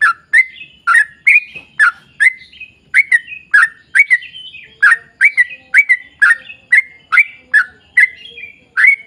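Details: Lure recording of a sooty-headed bulbul in lively long 'ropel panjang' song: fluty, slurred chirps in quick bursts with brief gaps, some notes gliding upward, and a faint low tone in the latter half.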